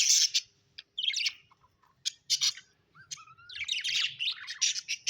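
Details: Happy pet budgerigars, chirping loud and close: harsh buzzy chirps and sharp clicks at first, then a long, lively burst of scratchy warbling chatter through the second half.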